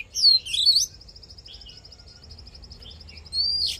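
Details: Fighting song of an Oriental magpie-robin, played for voice training and to excite males: a short tangle of twisting whistles, then a long fast even trill, closing with a rising whistle.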